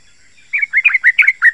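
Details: Yellow-vented bulbul song meant to call in and stimulate other bulbuls: a quick run of six liquid, slurred whistled notes after a brief silence.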